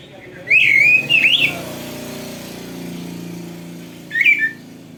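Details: Oriental magpie-robin (kacer) in lively 'gacor' song, played as a tutor recording for training other kacer: two clear whistled, warbling phrases near the start and a shorter whistled phrase later, over a low steady hum.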